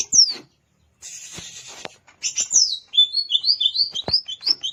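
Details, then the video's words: Greater green leafbird in the wild at Alas Purwo, Banyuwangi: a sharp downslurred whistle, a harsh rasping burst, then a quick flowing series of bright warbled notes. "Suara Asli CUCAK IJO Alas Purwo BANYUWANGI"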